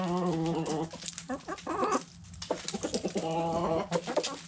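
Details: Backyard chickens, hens and roosters, feasting on food scraps: dense bursts of rapid, nasal, harmonic clucks in clusters, broken by short pauses, over faint pecking taps.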